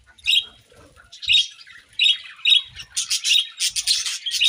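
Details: Budgerigars chirping at morning feeding, starting with separate clear, whistled chirps about once a second, then swelling into rapid continuous chatter.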